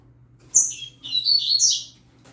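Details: Young yellow-bellied seedeater singing alongside a green-winged saltator: a sharp high note, then a rapid twittering, buzzy warble that jumps between high pitches for about a second.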